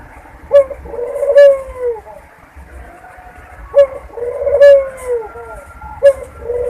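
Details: Two phrases from a Barbary dove mating call meant to bring other doves into breeding condition, each a quick rising note then a long rolling coo that slides downward, spaced about three seconds apart, with light clicks.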